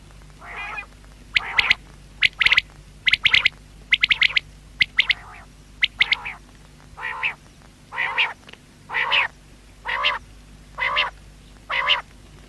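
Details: Quail (batair) voice: clipped high whistled notes in quick clusters at first, then giving way to a run of harsher, nasal, buzzy single notes repeated roughly once a second.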